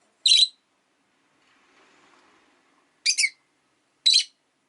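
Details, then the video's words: Rosy-faced lovebird chirping on a calm afternoon: three short, shrill, harsh chirps spaced about three seconds and then one second apart, with a faint low murmur of background noise between them. "Lovebird Chirping Sounds"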